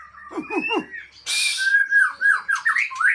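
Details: White-rumped shama from Aceh: three quick descending downslurred notes, a harsh burst, then slurred whistles rising and falling.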